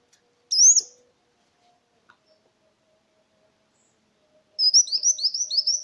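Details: Sunbird (kolibri wulung) lure song for stimulating silent caged birds: a single high chirp, a pause, then a fast run of thin, high, downslurred notes.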